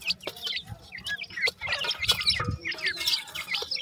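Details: Captive dakhni teetar francolin chicks make dense, squeaky high chirps, some rising and some falling, mixed with scratchy noises and a few low thumps.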